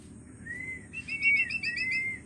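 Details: Young Long-tailed Shrike learning to sing: a clear whistled note, then a run of quick chirping notes over a sustained whistle, all fairly high and clean against a quiet background.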